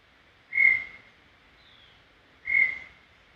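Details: Brown tinamou singing in Serra do Brigadeiro State Park, a clean recording: two pure, level whistles about two seconds apart, each swelling and fading quickly, over a quiet background.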